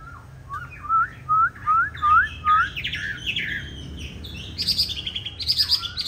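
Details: Chinese hwamei of the green-bean-eye type in fighting song, used to train other hwamei to sing a smooth, non-harsh song: a run of five clear upslurred whistles, then rapid higher chattering notes and sharp high-pitched trills.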